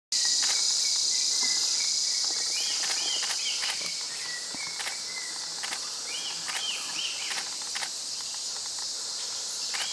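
Slaty Bristlefront giving short, arched whistled notes in quick runs, about three per second, over a loud, steady, high insect drone with scattered clicks.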